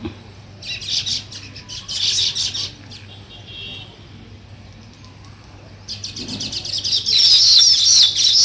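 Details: Weaver birds chirping as they build a nest, close and loud: clusters of rapid high chirps, a quieter pause, then an intense, sustained burst of sharp chatter toward the end.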